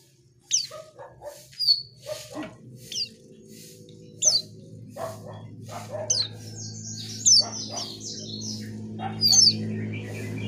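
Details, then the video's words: Asian pied starling in full, lively song: sharp high whistled notes mixed with harsh chattering phrases, delivered in bursts about every second over a steady low hum. "Burung cucak Keling Gacor"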